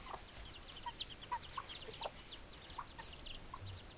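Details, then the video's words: Hens give scattered short clucks, some sharp and bursting, a few spaced about half a second apart, over a background of many high, quick, curved chirps and light low rumble. "Chicken Sounds Noises Hens Clucking Roosters Crowing"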